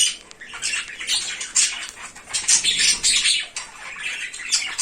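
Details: Cockatiel described as naughty, uttering a continuous stream of grating, high squawks and shrill screeches in uneven bursts, with brief pauses between louder volleys.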